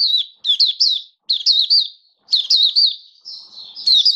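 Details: Oriental white-eye, a caged song bird, in full song: high sweet chirping notes grouped in quick bursts of three to four, separated by brief pauses.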